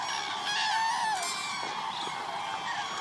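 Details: Cranes in the Hula Lake area, 30 December 2014; a steady background of many trumpeting birds, one nearer call rising then dropping early on, the rest a blurred distant chorus.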